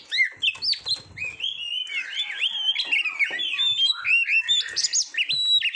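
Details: Competition-style Oriental magpie-robin song from Indonesia, used to train caged birds: loud rich whistled phrases with rising and falling slurs, rapid twittering and high sweeping notes, sung without pause across the clip.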